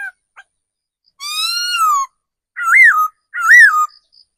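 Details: Decoy laughingthrush, a caged forest-seasoned bird, calls with one long arched whistle full of bright overtones, then two quick looping phrases that rise to a peak and drop, about a second apart.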